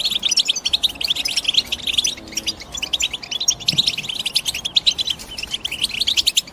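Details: Morning chirping of European goldfinch amid several songbirds singing together: rapid, high twittered notes and short trills tumbling one after another, a lively dense chatter lasting the whole stretch.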